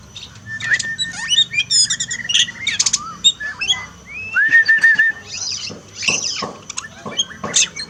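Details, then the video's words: Varied Oriental magpie-robin song for training a pet bird that has gone quiet after moulting: fast trills, sharp chirps and a long level whistled note, with brief gaps between bursts. "terapi kacer malas bunyi turun mental pasca mabung paling efektif"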